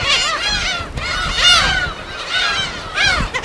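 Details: Gulls at a natural nesting colony on an uninhabited island off Korea's west coast; bursts of loud, harmonic, down-slurred cries about every second, from many birds, over faint surf.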